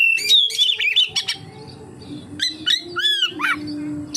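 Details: Oriental magpie-robin song used to prompt other magpie-robins to sing: quick bursts of sharp chirps and whistles, a short pause, then down-slurred whistled notes over a low hum.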